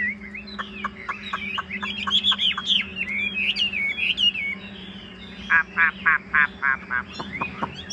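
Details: Chinese hwamei kept in a cage sings a mix of warbled whistles. It then gives a rhythmic run of harsher, buzzy notes about three per second, over a steady low hum.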